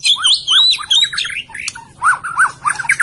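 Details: Medan white-rumped shama giving quick repeated paired phrases: high whistles over lower chevron-shaped notes, about three per second, with a brief scratchy break in the middle.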